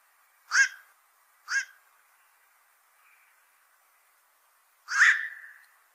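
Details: Black-crowned night heron giving two short hoarse barks one second apart, then after a pause a longer, louder rasping croak with a trailing tail.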